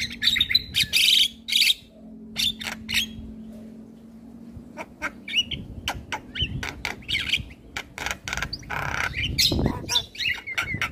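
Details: Male Javan myna performing a full-isian song for training young mynas: loud raspy bursts and scratchy notes, a quieter pause, then fast chattering phrases with one harsh broadband blast.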